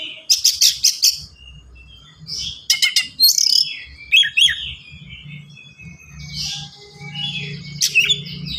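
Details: Kept white-rumped shama delivering a dense, varied song of harsh rattling bursts, scratchy chips and short whistled sweeps in quick succession, with a steady low hum in the background.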